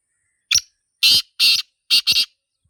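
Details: Sindhi teetar, or black francolin, in the wild, gives a brief clipped lead-in note followed by four rasping, high-pitched notes: two longer, then two quick ones run together, ending the phrase.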